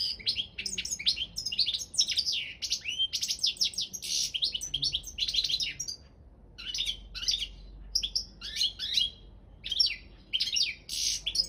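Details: Carduelis carduelis balcanica singing for an online goldfinch song world championship: sustained stuttering twitters and buzzy bursts in clustered phrases, short gaps between runs, a low hum faint underneath.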